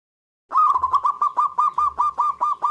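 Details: Local zebra dove, a loud-voiced bird in full song: a rapid run of bouncy, rolling coos near one pitch, about a dozen quick pulses without a break, in quiet surroundings.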